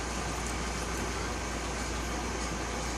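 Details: Loud, even broadband noise like traffic or an air conditioner, with no bird voice.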